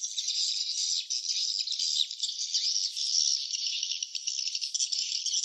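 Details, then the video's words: Swiftlets at their nests: a dense, continuous high-pitched twittering chatter from many birds, with no pauses across the whole stretch. "suara sarang burung walet ( swiftlet sound )"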